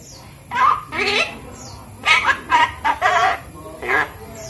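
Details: Javan myna, five months old, hand-reared and learning to speak, uttering a string of short harsh speech-like syllables in bursts, some throaty and rough, separated by brief pauses, in a quiet setting.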